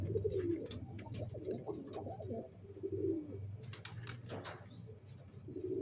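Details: Pigeons building a nest to lay eggs, giving soft, low, wavering coos in bursts, with a steady low hum and occasional clicks and rustles behind.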